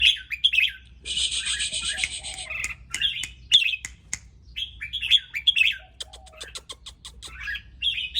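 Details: An excited red-whiskered bulbul gives short, bright, warbled phrases repeated through the clip. A long, dense buzzing rattle cuts in near the start, with scattered clicks and a low background hum.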